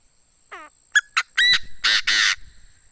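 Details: Well-tamed Chinese francolin decoy bird gives its full call: a faint falling note, a pair of short sharp notes, then three harsh, grating, sustained notes rising in loudness, delivered within about two seconds.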